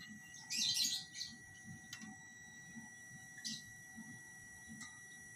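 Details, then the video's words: Lovebirds being paired by setting their cages next to each other; one dense, harsh chirping burst near the start, then a few brief clicks and a short squeak, with a constant background hum. "Lovebird penjodohan sistem tempel"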